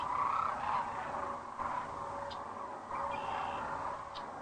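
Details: Sandhill cranes arriving to roost at sunset, Rowe Sanctuary, Gibbon, Nebraska, April 4, 2013, crane cam; a close rattling call opens, then overlapping throaty rolls rise and fall within a massed flock chorus.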